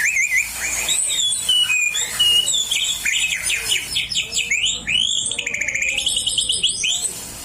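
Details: Oriental magpie-robin, a kept bird, singing loudly with notes it picked up from a white-rumped shama kept nearby while young: varied slurred whistles, rising and falling sweeps, fast trilled runs.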